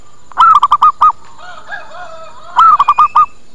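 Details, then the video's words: Lure cooing of a zebra dove used to make birds come and reply: two quick bursts of staccato, mellow notes, about six per burst, separated by soft warbling coos and a thin background hum. "Suara PIKAT PERKUTUT Cepat Pada Datang dan Nyaut"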